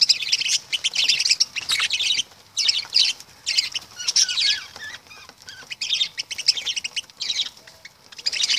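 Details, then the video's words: Several lovebirds chattering over one another in shrill, high-pitched bursts of chirps and squeaks, almost continuous with brief pauses. "Love birds"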